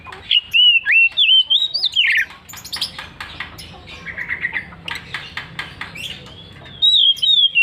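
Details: Vigorous song of an Oriental magpie-robin, with clear whistled notes giving way to a rapid series of dry, scratchy clicks and chatter, then a final sweet whistled phrase.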